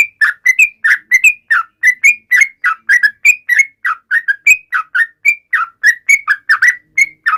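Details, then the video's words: Yellow-vented bulbul song aimed at taunting rivals: a continuous, energetic stream of short whistled notes, several per second, bouncing up and down in pitch against a clean background. "trucukan gacor MENGEJEK LAWAN"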